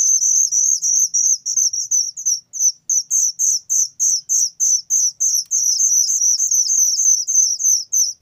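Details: Loud whistling thrush chick repeating sharp, high-pitched downward-sliding notes at a quick, fairly even pace of roughly three per second, with short gaps and stretches of near-continuous calling.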